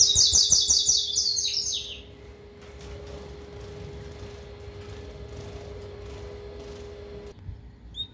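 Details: A captive Double-collared seedeater gives a loud burst of rapid, high, sweet notes for about two seconds, then falls quiet over a steady electrical hum.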